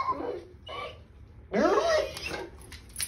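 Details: Pet Moluccan cockatoo mocking the family Mastiff, giving three short, harsh, bark-like calls over about two seconds, the last loudest and rising, copying the dog.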